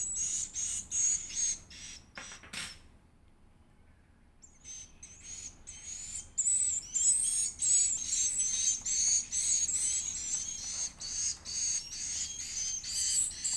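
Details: Edible-nest swiftlet chick during feeding: bursts of high, hissy squeals, then a near-silent pause of about two seconds, then a long run of thin, wavering whistles in rapid pulses.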